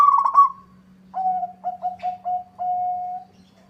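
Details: Zebra dove, a local bird singing vigorously in reply to a rival. A quick fluttering trill, then five clipped coos and one long, level final coo. Faint steady hum underneath.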